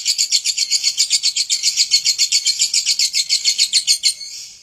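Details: Lovebird singing in the ngekek style, described as wild and unrestrained: a fast, steady run of shrill, buzzy chattering pulses, about four per second, held for over four seconds before fading.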